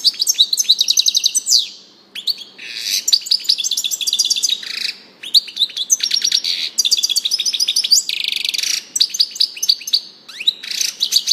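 A European goldfinch sings a fast, liquid twitter of tinkling notes, buzzy trills and chirps, pausing briefly twice; no other sounds stand out.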